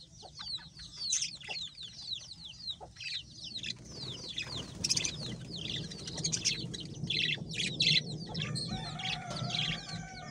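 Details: Happy budgies chatter nonstop with many quick, high, downward-sweeping chirps and scratchy twitters, overlapping in a busy flock-like chorus with a few sharper squeaks.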